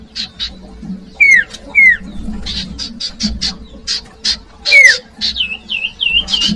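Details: Lure song of the common iora aimed at young birds: clear downslurred whistles separated by dry clicking notes, closing with a run of wavering, looping whistles.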